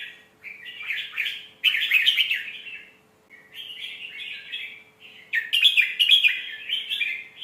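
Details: Song of a red-whiskered bulbul, a refined phrasing style played to teach young birds: three bursts of liquid, slurred warbling, each loud at first, separated by short silences.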